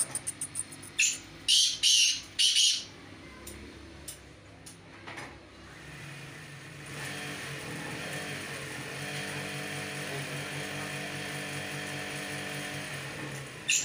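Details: Black francolin calling during a performance check against another francolin: a run of four harsh, loud, grating bursts in the first three seconds, followed by the steady drone of an engine or vehicle.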